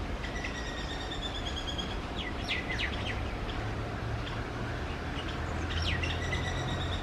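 A female house sparrow gives short, sharp chirps in scattered bursts, with thin whistled notes from other birds and a steady low rumble of background noise.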